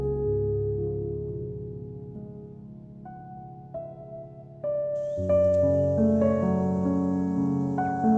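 Soft ambient instrumental music with sustained chiming tones and layered keyboard notes that build in loudness toward the end; no animal sounds.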